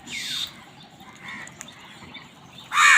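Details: Crows fighting for food: a loud, harsh caw opens, then near quiet with faint distant calls, before another rasping, rising caw bursts in at the close.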